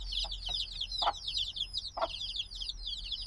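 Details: Dozens of high, falling peeps from young black chicks, days old, merge into an unbroken chorus; occasional dull taps and a faint low hum sit behind the birds.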